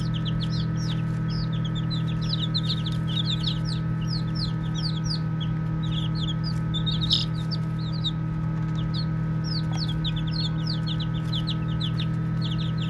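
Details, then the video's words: Flock of baby chickens chirping while playing: bursts of sharp, high, falling peeps crowd together, pause briefly, then resume, with a constant deep hum underneath throughout. "5 Minutes of Baby Chicks Chirping Sounds | Cute Playing"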